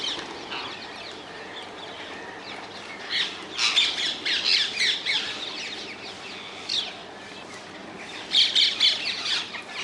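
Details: A flock of wild rose-ringed parakeets in the Netherlands: quiet at first, then rapid runs of shrill, rasping screeches in two loud bouts.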